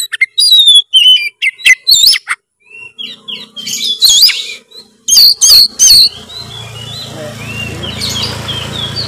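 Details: Oriental magpie-robin giving energetic 'narung' challenge song to stir a quiet bird into singing: bright whistled slurs and harsh bursts for six seconds, then a steady low hum and hiss take over with faint distant notes.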